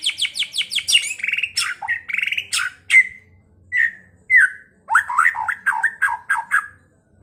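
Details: White-rumped shama song, used as a lure to provoke other birds to fight and sing; loud, varied phrases of rapid high chirps, buzzy trills and squawks, sharp rising notes and slurred whistles, with short pauses between bursts.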